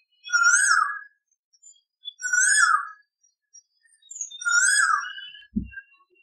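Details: Asian Koel calling loudly: three rich whistled notes, each rising then dipping, repeated about every two seconds, with soft high chirps from other birds between them and a brief low thump near the end.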